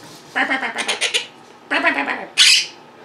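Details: Young pet Monk (Quaker) parakeets, vocal and mimicking indoors ten days after arriving: chattering in two bursts of rapid, voice-like babble, then a sharp high squawk at the end.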